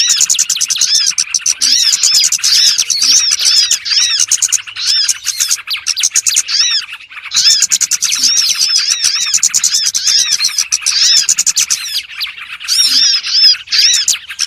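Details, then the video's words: Trapping lure call of the burcil bird: a loud, unbroken stream of rapid high twitters and chirps, layered sharp slurred notes with short pauses near five and seven seconds before resuming. "SUARA PIKAT BURUNG BURCIL ANDALAN SANGAT AMPUH"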